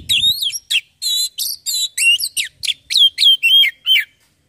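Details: Oriental magpie-robin song to make a bird sing: a rapid, rich sequence of buzzy chirps and clear falling whistles, about three notes a second, with almost no background noise.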